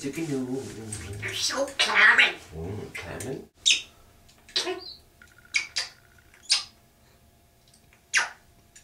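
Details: One of the owner's African grey parrots blathers in the morning while the owner showers, chattering in speech-like phrases for about three seconds, then giving scattered clicks, short whistles and sharp chirps at an uneven pace in a quiet room.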